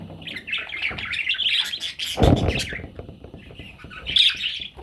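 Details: Parrot chicks calling in a steady run of raspy, squawking chirps, mid-high and overlapping, with a short pause partway through and a loud low bump of handling noise in the middle.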